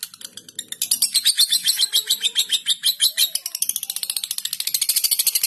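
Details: A young imported lutino lovebird (balibu) gives a long, shrill chattering trill of rapid, harsh notes that speed up, running steadily for over four seconds.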